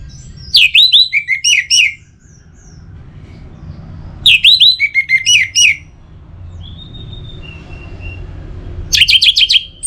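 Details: Caged orange-headed thrush, Bali, sung to prompt other birds; three loud warbled phrases of fast, slurred high notes about every four seconds, with faint thin whistles between.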